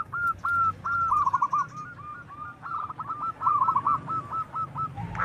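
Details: Loud-voiced local zebra doves calling back and forth, males and females, played as a lure for a reply. Quick repeated trilled coos, first spaced then crowding into dense rattling runs, over a constant background hiss.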